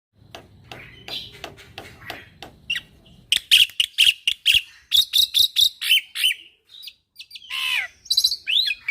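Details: Young Javan pied starling in full, lively song packed with varied fill phrases: after about three seconds of soft ticking, bursts of sharp chirps, whistled notes and rasping squawks follow in quick succession.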